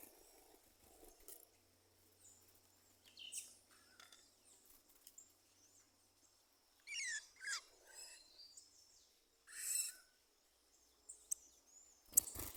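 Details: Birdsong outdoors: a quiet stretch with scattered soft chirps, then clearer high, quick chirps and short bright notes around the middle, a strong burst near the tenth second, and a sharp noise at the end.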